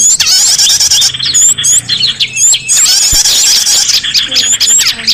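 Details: Small birds' chirping meant to coax escaped pet birds home: rapid, thin, high twittering with many overlapping whistled slurs in a steady dense chorus, broken by brief pauses, and one faint thump.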